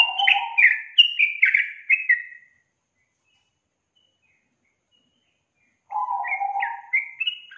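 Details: Playback song of the yellow-vented bulbul, used to lure a young bird that is slow to sing. A rapid tumble of bright whistles over a low buzz, long silence, then the phrase starts again.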